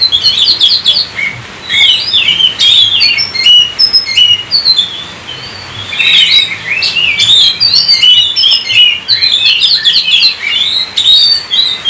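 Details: Oriental magpie-robin in energetic 'gacor' singing, meant to stir other kept birds: dense bursts of mixed whistles, chattering trills and sharp clicks in long phrases separated by short quiet gaps.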